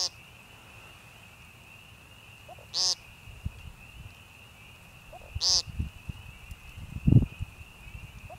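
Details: Timberdoodle, the American woodcock, giving peent calls in Young Conservation Area, northern Missouri Ozarks, on 28 March 2015. Two buzzy, nasal peents roughly 2.7 seconds apart, then low thumps and rustling, with a steady high drone behind.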